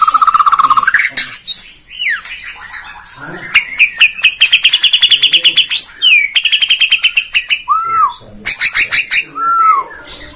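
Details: Lure recording of a Bornean white-rumped shama meant to draw other birds into song: a pure steady whistle, then fast ringing trills and clicking rattles, sweeping slurred notes and two clear down-curving whistles near the end.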